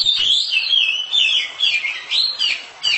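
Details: House-kept oriental magpie-robin pouring out a clear, loud song. Rising and falling whistled notes are strung together in a rapid, fluid warble with short breaths between phrases.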